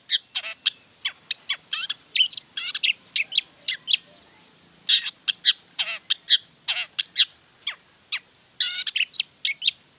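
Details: Long-tailed shrike singing in an excited, varied outpouring used to provoke other shrikes: rapid bursts of sharp chips, downslurred whistles and rasping notes packed in irregular clusters.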